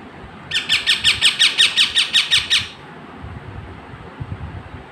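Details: Parrot giving a fast series of about eleven harsh, evenly spaced squawks over two seconds, then falling quiet, with low room rumble and faint background noise.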